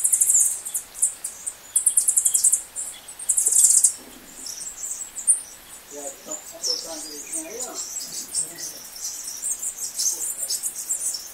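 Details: In Ubatuba, São Paulo, a green honeycreeper gives very high, thin, sharp chips in quick bursts, then scattered softer notes, with faint low murmuring underneath.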